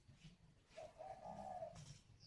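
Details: In northern Vietnam, a wild-caught adult spotted dove kept as a decoy utters one drawn-out, mellow, slightly wavering coo over a low rumble of background noise.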